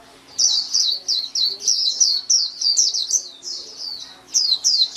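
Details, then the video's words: White-eye song: a rapid run of high, thin, twittering notes sliding downward, strung together in quick bursts with short gaps, steady hum underneath. "SUARA MAHAL KICAU BURUNG PLECI"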